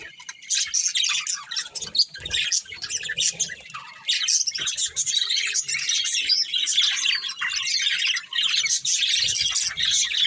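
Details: Budgerigar breeding pair kept indoors, giving continuous twittering chatter: raspy, rapid high chirps and squawks run almost without a break, briefly softening near the two-second mark before resuming loudly.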